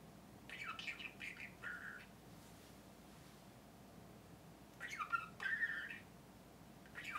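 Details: Pet budgerigars kept indoors, one bird screeching in a tantrum and another talking at length. Two bursts of warbling, chattering vocal sounds, each lasting about a second and a half and separated by quiet room hum, with a third burst starting at the end.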